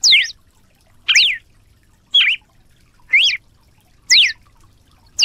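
A red-cowled cardinal sings short, liquid whistled phrases of sweeping high notes, about one each second, six in a row against a quiet background.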